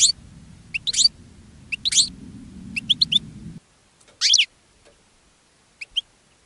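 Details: Caged European goldfinch sings to draw in other goldfinches, giving scattered bright, high chirps and quick twittered notes over a low rumble that then drops away to near silence.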